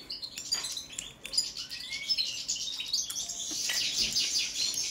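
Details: Song check of a European goldfinch of the Balkan race balcanica: jingling high chirps interspersed with clicks, a short upward slur, then a sustained rich twittering warble growing fuller toward the end.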